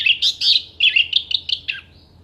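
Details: Short burst from an orange-headed thrush (anis merah) in clear-voiced, sharp contest song: a quick jumble of bright, warbled high notes, ending in a downward slur.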